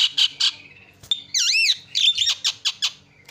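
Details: Javan myna lure call for prompting other birds to call: harsh squawks, a loud sustained wavering whistle rising and falling, then rapid rasping chatter.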